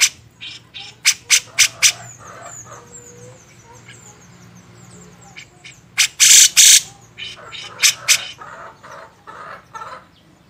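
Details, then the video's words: Master recording of grey-cheeked bulbul used to train songbirds: scattered sharp raspy notes, a quiet spell with thin high whistles and a low hum, then a burst of loud grating calls and more quick rasps. "masteran burung cucak jenggot"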